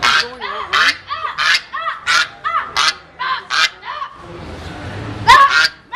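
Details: Angry goose that did not like a man, honking at him: a fast run of loud, nasal, harmonic honks about twice a second, then a rougher noisy stretch before one final strained honk.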